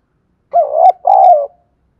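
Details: Spotted dove luring other doves with a two-part cooing phrase: a wavering hoarse coo followed after a brief break by a longer, steady, slightly falling coo.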